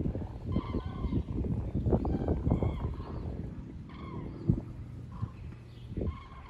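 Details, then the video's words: Migrating flocks of common cranes flying south over Bad Nauheim in the Wetterau, Germany, 22 October 2022; repeated bugling, trumpet-like calls from many birds over heavy low-pitched background rumble and occasional thumps. "Kranichzug über der Wetterau"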